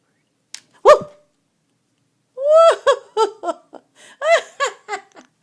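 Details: African grey parrot, a feisty pet bird being handled in a desk drawer, giving a lone harmonic squawk followed by a rapid burst of about eight short, nasal, rising-and-falling calls, with a person's voice talking before and after.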